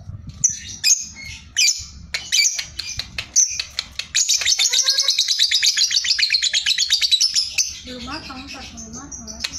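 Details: Sooty-headed bulbul singing a chattering, lively song: short sharp notes first, then a long fast run of repeated high buzzy trills, ending with lower wavering notes; a man speaks nearby.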